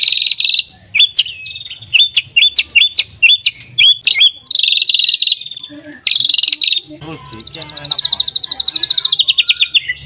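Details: Energetic white-rumped shama song for provoking other shamas to sing. Sharp upswept notes and sustained buzzy phrases give way to a long, steady rattling trill of rapidly repeated high notes.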